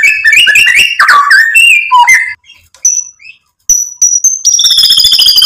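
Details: Murai batu (white-rumped shama) singing to provoke and excite: mixed whistles and chatters, a brief quiet gap, a few clear high piping notes, then a dense high buzzing trill.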